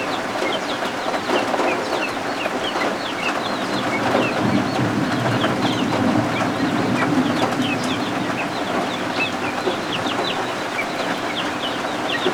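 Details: Newly hatched guinea fowl keets warming under a heat lamp indoors, with rain and thunderstorms outside; a busy chorus of thin, high peeps repeating rapidly and overlapping, several per second, over a steady hiss of rain.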